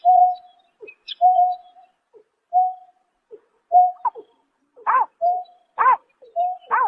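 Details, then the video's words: In March 2024 at night, a greater painted-snipe starts with several flat, even hoots, then adds stronger curved nasal notes, the series quickening toward the end. "Tiếng Chim Nhát Hoa Đánh Đêm Vụ Tháng 3 Năm 2024"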